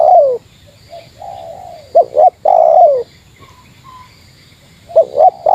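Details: Spotted dove in meratus style facing a rival: a falling coo ends, then a softer coo follows. Double clipped notes and a long descending coo come next, and faint low coos precede another pair of short notes.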